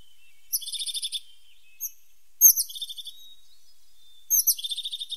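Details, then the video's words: Tit song outdoors: bright, rapid trilled phrases of repeated high notes, each lasting about half a second and separated by short pauses, with one isolated chip between them. "The sound of a pointed tit 's voice"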